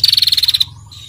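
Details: Female bar-winged prinia 'ngetir' call for stimulating other birds: one brief, rapid, buzzy trill of about ten pulses that cuts off into quiet.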